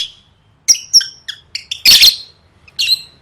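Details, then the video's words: Lovebird used for singing-competition training, sharp high chirps and harsh squawky bursts in a short sequence, with a louder rasping burst near the middle and pauses between notes. "Suara Burung Lovebird III Latihan Gacor Gantang Siap Juara"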